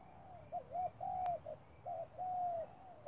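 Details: Decoy spotted dove in a trap calling rapidly, giving paired coos, a brief note then a drawn-out level one, repeated about once a second over a steady high insect buzz.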